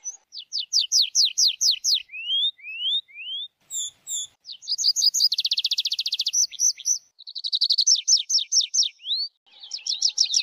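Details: High, clear tree pipit song: a rapid series of downslurred notes, a few rising whistles, a very fast buzzing trill, then more sweeping phrases delivered in quick succession.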